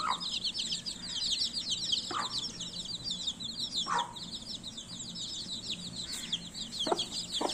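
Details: Many baby chicks peeping together in a continuous, shrill, high-pitched twitter of quick overlapping notes, broken by occasional louder short clicks or knocks.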